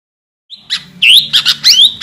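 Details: Sooty-headed bulbul of the kutilang garuda type, singing actively while calling to a rival: a short thin note, then bright whistled phrases that rise and fall, some sharply upslurred, over about a second and a half.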